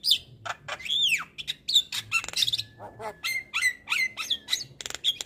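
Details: Vigorous song of a male Javan myna kept as a singing tutor for other mynas: arched whistled notes, clicks, harsh rasps and a long level whistle, jumbled in quick succession.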